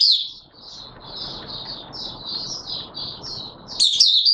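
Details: Oriental white-eye 'buka sing' song from 24 March 2022: a steady chain of thin, high twittering notes over broad background noise, ending in a louder, brighter burst of warbling.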